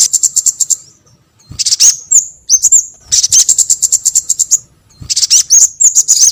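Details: Sogon bird calls used as a lure: bursts of fast, evenly spaced high ticks lasting about a second each, separated by short silences, with thin whistled slurs between.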